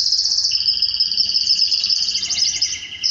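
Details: Canary mating with its female after hearing this song. Two steady high trilled tones run together, then break into faster rattling rolls near the end.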